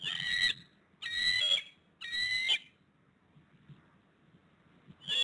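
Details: Bald eagles at the Hays nest in Pittsburgh, 7 February 2022 at 5 pm, as the male brings the female a fish while she incubates an egg; three loud, piping, harmonic calls about a second apart, then another starting.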